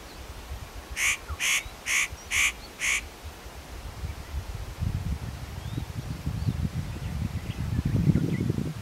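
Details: Spotted nutcracker at Matsunokisawa-no-kashira, unaware of the observer while preening and calling: five harsh, rasping calls in a quick even series over two seconds, then only low rumbling wind noise.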